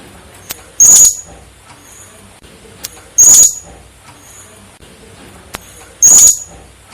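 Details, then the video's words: Blue-crowned hanging parrot calls used as a lure for bird trapping: three single, very thin, high squeaky notes, each sharp and brief, spaced about two to three seconds apart over a quiet background. "suaraserindit burung serindit cocok untuk pikat"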